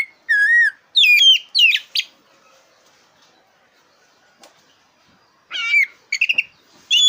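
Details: Oriental magpie-robin of the black-breasted form (kacer dada hitam) giving loud song meant to rouse competition birds: a falling whistle and rapid sliding chirps, then a long quiet pause before more twittering phrases.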